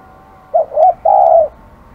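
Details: A single three-part phrase from a spotted dove described as aggressive: a brief coo, a second slightly longer coo, then a prolonged even coo that fades out, with faint background hum.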